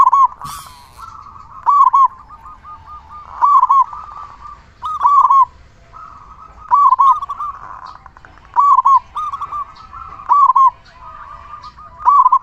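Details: Prolific local zebra dove singing loudly, intended to lure other zebra doves and rouse their breeding drive. Bright staccato coo bursts repeat about every one and a half seconds through a steady background trill.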